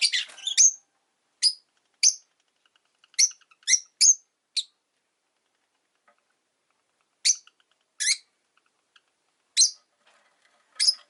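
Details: ['Caged rosy-faced lovebirds, five birds by a window on a calm afternoon, repeat short, sharp, high chirps, about a dozen in eleven seconds, in two loose clusters separated by a quiet gap.']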